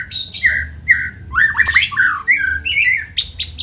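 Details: White-rumped shama song used as a prompt to get other shamas singing; rich varied phrases of whistled slurs and rising, falling notes, with harsh buzzy bursts and sharp high chips near the end, over a low steady hum.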